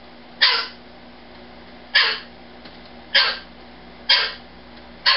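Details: Rescued male umbrella cockatoo, once kept as a breeder in a closed garden shed, screaming indoors at night when not told good night; five harsh, loud screams roughly one second apart, with a man speaking softly just before.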